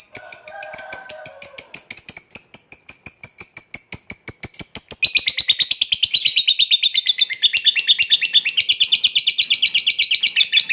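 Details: Lovebird's long ngekek song, used to encourage other lovebirds to sing: thin, very high ticking pulses at first, then from about five seconds a louder, denser buzzy rattling trill that keeps going to the end.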